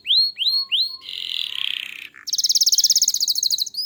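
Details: Gacor canary song meant to set other canaries singing: three rising whistled slurs, a noisy buzzy stretch, then a fast high pulsed trill and a final rising note.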